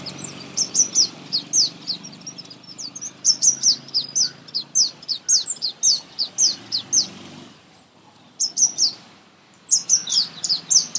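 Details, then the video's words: A sunbird sings in a garden in India: a fast run of very high, thin, sharp chirps and twitters, about three notes per second, broken by two short pauses, over a faint background hum. "Song Of Sunbird"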